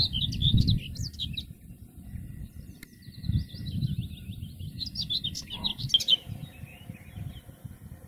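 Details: Common whitethroat in the wild, singing short scratchy, chattering warbled phrases at about one second and again around four to six seconds, separated by quiet gaps, with low rumbling wind noise underneath.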